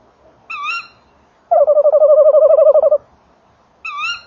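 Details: Tawny owl pair at a nest box, December 2013 evening: a short rising female note, a pulsed, rolling trill from the male near the box, and another rising note from the female.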